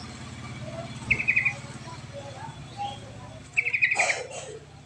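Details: Two brief chattering phrases from a sooty-headed bulbul, a lure sound meant to spur lazy birds to sing, each a quick string of repeated notes, over a steady low engine-like drone.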